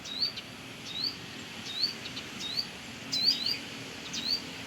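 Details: Near its nest at a house, a Brown-throated sunbird gives lively, thin rising chirps, irregularly spaced, sometimes two in quick succession, against quiet background hiss.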